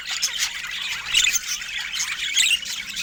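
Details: Budgerigars kept as pets give a rapid jumble of scratchy squawks and bright chirps, overlapping calls with small louder bursts roughly every second.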